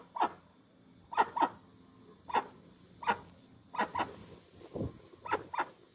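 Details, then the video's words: Dusky-legged guan producing a steady string of short, hoarse honks, singly and in pairs roughly every second, with a deeper low sound partway through and light background hiss. "Som limpo do canto🎵 do Jacuguaçu. Som original da ave, sem interferência de efeitos sonoros."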